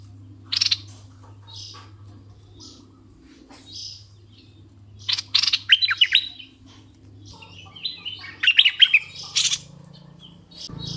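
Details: Red-eyed bulbul decoy bird giving two short bursts of quick warbled, up-and-down notes separated by long quiet gaps with a few soft distant chirps, over a faint low hum.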